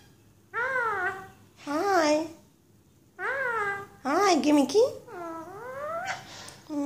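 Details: Pet female Alexandrine parakeet indoors early in the morning, chatting with her owner after waking her. Short bursts of speech-like chatter with rising and falling pitch, five phrases in about seven seconds, separated by brief pauses.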